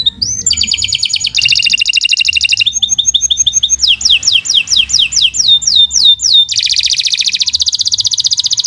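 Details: Canary singing long, uninterrupted song meant for training other birds: a rising note, dense buzzy rolls, a quick chattering stretch, accelerating falling whistles, then a sustained rapid trill.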